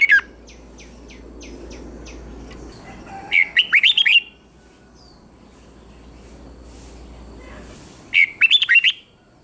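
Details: A Thai red-whiskered bulbul song, southern master style, for exciting other birds: a thin series of high ticking notes, then two loud gurgling warbled phrases of quick rising and falling notes over a low hum.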